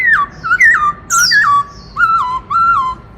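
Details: Black-throated laughingthrush singing the loud "Bắt Cô Trói Cột" song style, meant to stimulate other birds: clear whistled notes that slide down, given in quick separate phrases.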